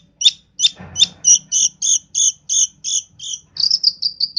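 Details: Long-tailed shrike from East Java in active, mimicry-filled song. Paired high chirping notes repeat steadily, then shift into a faster run of thin, squeaky notes.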